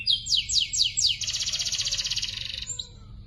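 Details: Song of young canaries used for training: several quick downward-sweeping whistles, then a long dense rattling trill that fades, over a low steady hum.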